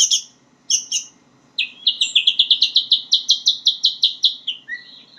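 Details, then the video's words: White-rumped shama learning to sing: two high sharp chirps, then a rapid run of about fifteen bright repeated notes, slightly rising, ending in a short lower whistle. "murai batu belajar bunyi"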